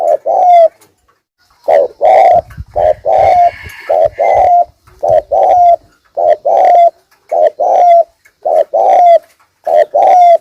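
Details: Lure spotted dove repeating thúc gù cooing: mellow low coo pairs with slurred endings at a steady pace, plus a brief burst of rustling handling noise early on.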